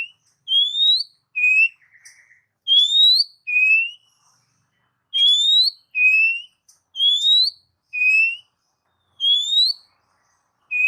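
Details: Oriental magpie-robin, recorded to stimulate caged magpie-robins, repeating a steady two-note pattern: a long upward-sliding whistle then a short lower whistle, about nine times.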